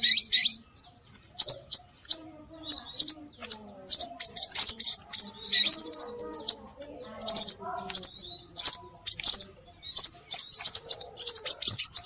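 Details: Lure sound of scarlet minivet (sepah raja) meant to attract birds: long series of high, sharp, clipped notes and short trills, repeated in quick clusters roughly every second with short silent gaps.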